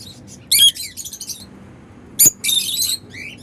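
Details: Freely flying African lovebirds making happy sounds; two loud bursts of harsh, high chattering chirps separated by quieter twitters, with a sharp click before the second burst.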